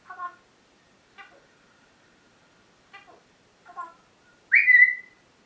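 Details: Parrot chattering in the morning: four short, soft, speech-like syllables spaced about a second apart, then a loud, sustained, slightly rising whistle at the end.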